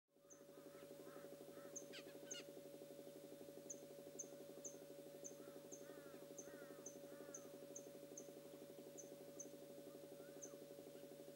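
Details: Black Bulbul (Hypsipetes leucocephalus) giving short bursts of squeaky, nasal, mewing notes, over a loud steady droning hum and faint high ticks repeated about every second.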